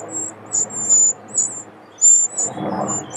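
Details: Eurasian wren family at their unusually large nest, built under a pavilion and sheltered from wind and rain; thin, very high squeaky calls in short bursts, repeated irregularly, with a soft low rumble beneath.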